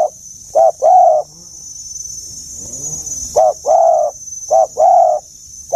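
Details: Dove giving low, mellow coos in the giọng già rừng sát bổi manner, an old-sounding voice. Three phrases of a brief note followed by a longer throaty one, separated by quiet gaps, with a soft background hiss.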